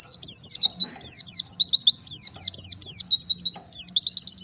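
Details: Oriental white-eye, cut off from its flock, calling for the others: continuous high chirping mixing falling slurs with quick runs of short rising notes, repeated without break, over a faint low hum.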